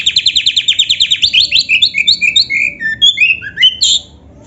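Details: Oriental magpie-robin, known as kacer, singing a full isian gacor song: a fast rattling series of chirps at the start, then varied whistled notes sliding downward, ending in a bright high flourish.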